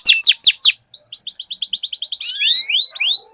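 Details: Canaries duelling in song, used as a training lure for silent birds: a burst of falling slurred notes, then a fast run of repeated chips, then rising sweeping whistles, all high and bright, with no other sounds.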